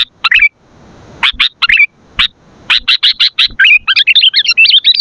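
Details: Sooty-headed bulbul song meant for luring and tutoring other bulbuls: separate chirps give way to fast clusters of sharp notes, then a run of bubbly, tumbling whistled phrases at the end.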